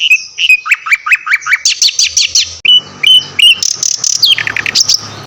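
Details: Songbird tutor recording of Javan white-eye and mugimaki flycatcher: a rhythmic series of descending slurred whistles, then high trilled bursts, short flat whistles and a final cascade of falling chirps.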